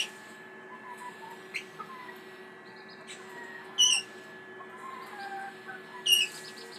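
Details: A courting, nesting pair of red-rumped parrots, already with one egg, give two short bursts of sharp, high chirps about two seconds apart, with faint twitters between over a steady low hum.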